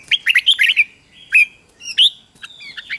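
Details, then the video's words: Red-whiskered bulbul singing, for training young birds: a quick cluster of sharp whistled chirps, then single bright notes spaced apart, and a few soft calls at the end. "luyện cho chào mào bổi hót"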